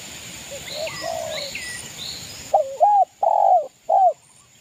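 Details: East Java local spotted dove singing energetically to provoke rivals: a brisk run of four hollow low coos, the third drawn out, after a stretch of faint background birdsong.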